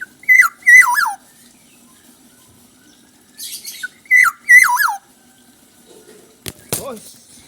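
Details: Black-naped oriole song of paired fluty, falling whistled phrases, followed near the end by a sharp click and a brief squeak.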